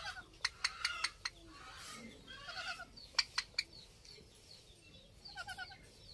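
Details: Rose-ringed parakeets during mating behaviour: sharp, loud clicking notes in quick bursts of three to five, mixed with short harsh squawks and softer chattering notes.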